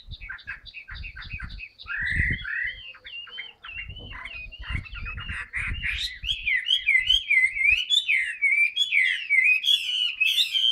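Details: Chinese hwamei in a cage, newly moulted, opens with short clipped notes, then builds into a loud, continuous warble of swooping whistles repeated several times a second. Occasional low bumps are heard.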